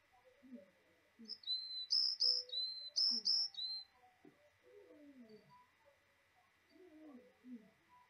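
Varied tit gives a quick run of about six high, bright notes in paired bursts over two seconds, with low murmuring sounds underneath.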